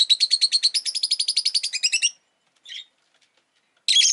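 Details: Rosy-faced lovebird delivering a fast, even run of around twenty clipped, shrill chirps lasting two seconds, followed by a faint short call and a final loud, grating squawk.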